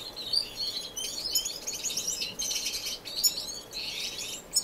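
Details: Finches chattering in an indoor, non-breeding community aviary, Edmonton, Canada, March 2015; busy high-pitched twittering and buzzy trills from several birds overlapping, with sharp clicks.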